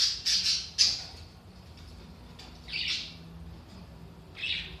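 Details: Budgerigar sounds for activating sluggish budgies: rapid high squawks at the start, then two separate buzzy chirping bursts after pauses, with a soft background hum.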